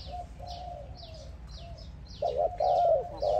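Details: Spotted dove calling another dove: soft faint coos at first, then a loud, rough, wavering cooing phrase in the last second, over many high, thin, descending chirps from other small birds.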